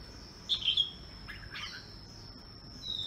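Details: An albino Red-whiskered bulbul singing in the morning gives two brief, bright chirping phrases about a second apart, over a steady thin high-pitched whine.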